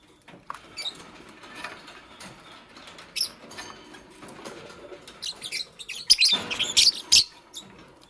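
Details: Green Fischer's lovebird alongside a pastel bird while making a nest: rustling and clicking throughout, then a cluster of sharp high squeaky chirps near the end.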